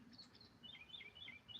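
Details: A Northern Mockingbird on top of a pole in its yard in Alabama sings a quick run of varied, high chirps and slurred notes, each phrase distinct, one sounding like 'kitty kitty', over a soft hum.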